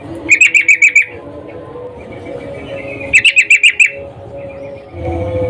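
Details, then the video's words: Breeding female sooty-headed bulbul calling to a male. Two quick chattering bursts of about six sharp, evenly spaced notes each, roughly three seconds apart, with faint low background hum between. "Trucuk Betina Memanggil Jantan"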